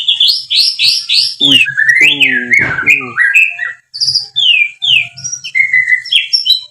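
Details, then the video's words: Lure song of the white-rumped shama for caged birds. Repeated arched high whistles lead into a varied sequence of sliding, descending and rising whistled phrases, with a brief burst of harsher notes in the middle. "Suara Burung Murai Batu, Pancingan Burung Murai Batu Gacor, Ampuh Rangsangan Cepat Nyaut"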